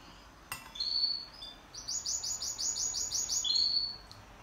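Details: Pet canary singing in duet, indoors: a few thin whistled notes followed by a quick series of repeated high chirps, then another drawn-out whistle, with a sharp click near the start.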